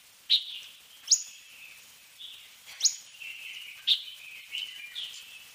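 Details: Sharp, high-pitched sweeping notes from a fork-tailed sunbird (Aethopyga christinae), roughly one per second, with softer thin twitters in between.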